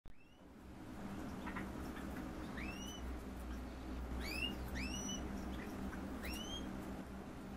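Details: Green-rumped parrotlet calls: short rising whistled notes, about seven in clusters, over a steady low hum.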